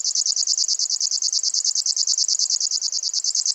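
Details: Locustella grasshopper warbler producing a sharp, high, sewing-machine-like trill, pulses repeated about eleven times a second with clockwork regularity, continuous for three and a half seconds, background silent.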